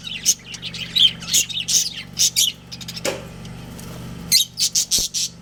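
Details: Pet budgerigar breeding pair calling: loud, high, scratchy chirps in rapid bunches, a brief quieter stretch midway, then fresh chirp bursts, all above a steady low hum.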